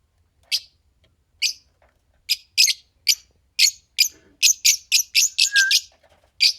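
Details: Fischer's lovebird pair, green, giving spaced sharp high chirps that speed up into a dense run of squeaky notes, with a faint lower whistle partway through.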